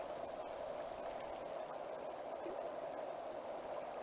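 Steady rushing water or broadband noise fills the clip, with no animal call standing out.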